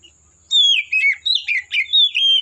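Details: Oriental magpie-robin singing in forest: a quick series of about six loud, sweet, slurred whistles, each under half a second, in a clean recording.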